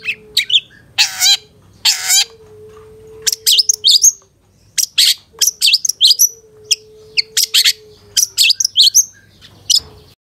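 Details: Long-tailed shrike song used as a master recording for training caged birds: loud, scratchy chattering bursts and sharp high notes in clusters, with a steady low hum beneath.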